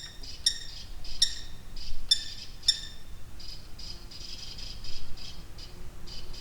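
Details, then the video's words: Common kestrel calls recorded by a hidden drop rig in a remote slate quarry in Wales: sharp, shrill, clipped calls about once a second, then a fainter run of quicker notes, over a low rumble of wind. "Falcon / Kestrel calls"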